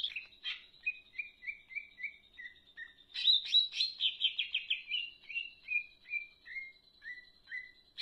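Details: Leafbird singing briskly: a string of short falling chirps, then a dense buzzy trill, then more evenly spaced downslurred notes, each about half a second apart.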